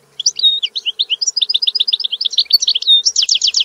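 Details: European goldfinch singing a fast, tinkling stream of high twitters and liquid notes, rhythmic clusters with a couple of clear whistled tones and a dense trill at the close.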